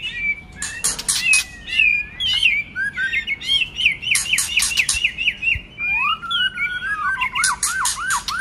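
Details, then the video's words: A white-rumped shama gives a spirited many-voiced song, a string of rapid rising whistles repeated about twice a second, interwoven with clicks, then a lower looping whistled series. "Kích chòe lửa hót nhiều giọng hay"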